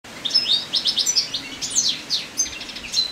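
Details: A moulting male European goldfinch in late summer sings a rapid, loud run of high twittering, tinkling notes and short buzzy trills, the phrases jumbled together with no pause.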